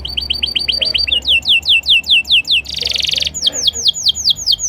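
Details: Canary song: loud, rapid series of sharp descending whistled notes, changing to a fast buzzy rattle, then back to bright repeated whistles, all delivered at high speed with faint low background hum.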